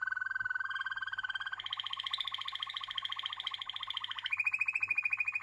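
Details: Waterslager canary in continuous rolling song: a fast pulsed trill that steps upward in pitch twice, each stretch held for over a second.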